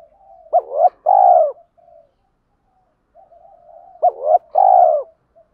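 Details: Spotted dove cooing, used to lure wild doves: two low phrases about three and a half seconds apart, each a short rising note then a longer rolling coo, with soft murmuring coos between.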